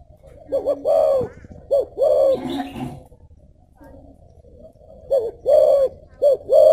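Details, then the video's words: Spotted dove giving thổ bầu có lèo song: phrases of a short low coo and a longer drawn coo, a noisy gap in the middle, then the phrases resume steadily. "thổ bầu có lèo"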